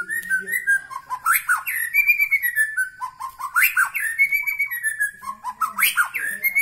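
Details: Song of a White-rumped shama from Medan Bahorok: rich, varied whistled phrases with sharp upward flicks and drawn-out level notes, each burst of phrases returning about every two seconds, loud and clear throughout.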